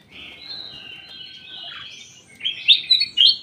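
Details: Ruby-throated bulbul in a private aviary: warbling whistled phrases held near one pitch, then a louder burst of sharp rising and falling notes at the end, with faint low rustling underneath.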